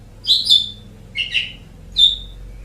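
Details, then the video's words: Asian pied starling used to tutor pet birds: three separate bright, slightly buzzy whistled notes spaced with silence between them. "Suara Burung Jalak Suren"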